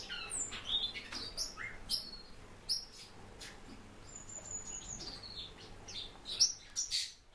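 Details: Japanese white-eye kept as a cage bird: scattered high, sharp chirps with a few longer thin whistled notes held near one pitch, spaced irregularly, over a faint low electrical hum.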